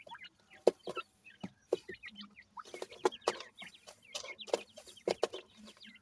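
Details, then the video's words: Grey francolin chicks, dakni teetar, peep steadily while feeding, with quick high chirps repeated many times. Crisp pecking clicks sound between them. "partridge tetar ,Teetar ki Bache,dakni Teetar Chicks Feeding"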